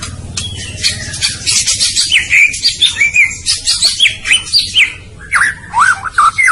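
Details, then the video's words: White-rumped shama song with a lively stream of varied whistles, twisting slurs and quick chattering notes, a brief pause, then more looping whistled phrases. A low hum sits underneath. "Suara Burung Murai Batu"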